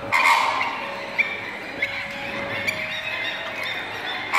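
Greater flamingo gives a loud nasal, goose-like honk at the start, then softer low honks and murmurs every second or so over a steady hum.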